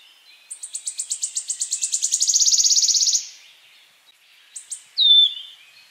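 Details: Warbler mating twitter, given to prepare for mating: a long accelerating trill of high notes rising to a dense buzzy roll, a pause, then two chips and a loud downslurred whistle.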